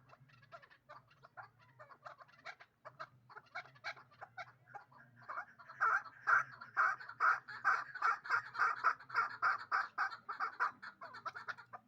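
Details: Two-year-old hybrid partridge in Dushanbe, meant for fighting and hunting, begins with scattered quiet clucks over a low hum, then swells into a loud, sustained series of rapid chucking calls.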